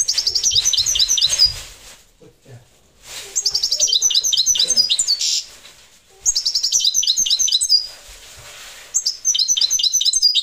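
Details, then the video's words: Song of a parva goldfinch: dense runs of high, jingling and buzzy notes in three- to four-second bursts, broken by brief quieter gaps with faint background murmur. "Chardonneret parva"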